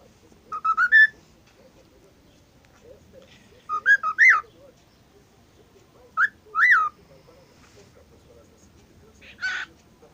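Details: Cockatiel said to sing all day and copy a WhatsApp alert whistles short rising note groups, wavering two-note figures and peaked slurred whistles, ending with a brief harsh chirp.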